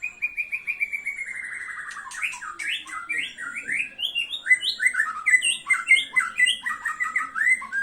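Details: White-rumped shama opening with a rapid descending trill, then pouring out a dense, lively stream of bright whistles, slurred notes and chatter, phrases changing constantly and repeating about twice a second, in a quiet setting.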